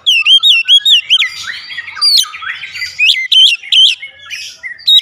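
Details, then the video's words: Oriental magpie-robin in steady song: a fast series of sharp whistled notes, about two or three per second, mixed with rasping chatter and upward-flicking phrases. "memancing suara Kacer cepat ngeplong rajin bunyi gacor tiap hari"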